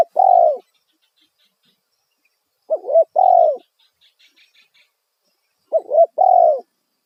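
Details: Kuk satu lure call of a spotted dove, loud and clear, played so wild doves respond. Phrases of a quick wavering double note plus a long downslurred coo repeat about every three seconds. Faint high chirps lie behind an otherwise quiet background.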